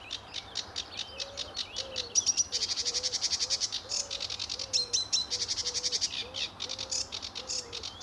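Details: Sedge warbler singing vigorously at RSPB Fowlmere on an early July 2013 morning in sunshine: rapid chattering, buzzy high notes and scratchy trills, with a soft, low wavering note repeated about every half second beneath.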